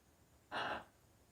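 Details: A single sneeze from a pet macaw inside a quiet room, one abrupt, rough, noisy burst lasting about a third of a second with a slightly rasping edge.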